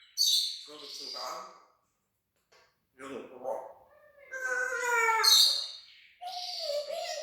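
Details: Pet parrot talking and imitating sound effects with raspy, speech-like harmonic phrases and squawks. Bursts are split by a silent gap, then a longer, richer wavering phrase ends in a short nasal note.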